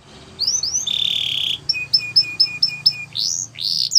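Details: Training song for young canaries in Russian and Belgian style: two rising whistles, a sustained rolling trill, a row of short paired chips, then broad upswept notes.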